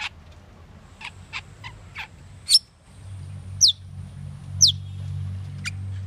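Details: Asian glossy starling: a few short clicky notes, then sharp rising whistled calls given about once a second, with a steady low hum underneath.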